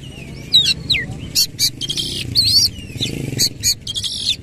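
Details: Shama delivering harsh, rough song content with tail spread, a fast run of high twittering notes, buzzy bursts and quick rising whistles, low rumble in the background.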